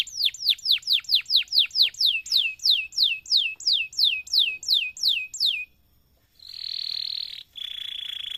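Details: Canary singing a long training song for other canaries: a rapid series of high, sharply falling whistled notes that slow gradually, a pause, then two long steady high whistled tones.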